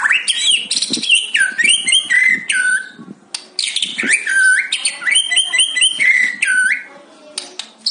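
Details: Captive white-rumped shama in fighter-style song: two bursts of rich, rapid whistles and stepped phrases, loud and varied, separated by a short pause.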